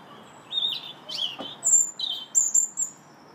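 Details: Robin in song in a park in March, delivering varied high whistled notes, some sliding down, others thin and piercing, in separate short bursts, with a faint click midway and low background noise.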